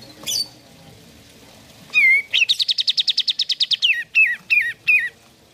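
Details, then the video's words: Sooty-headed bulbul song for prompting caged birds: an opening chirp, a slurred whistle, a rapid rattling trill of high notes, then three distinct falling whistles. "Terapi Pancingan Kicau Kapas Tembak Gacor"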